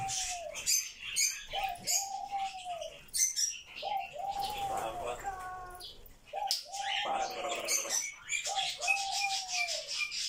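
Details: Grey parrot, said to talk non-stop all day, chatters in speech-like phrases, rising-then-falling mid-pitched notes every second or two, mixed with clicks, squeaks and rustling.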